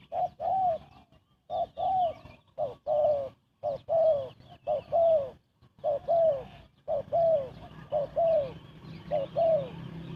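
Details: Spotted dove cooing, recorded for luring birds into traps: a rapid series of short, low, hollow coos, arched in pitch and delivered in quick bursts of two or three with brief pauses, over faint background hum.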